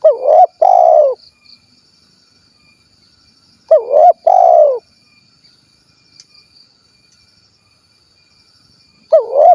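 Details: Spotted dove, 'kuk 1' type, recorded at Cilacap, Central Java, repeating its two-part coo three times at roughly four-second intervals. Each phrase is a wavering note and then a longer, throbbing, falling hoot, with silence between phrases.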